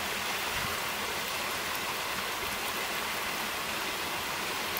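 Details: Steady, hissing wash of surf or wind at West Angle Beach on 24 August 2012, even and unbroken throughout, with no bird calls.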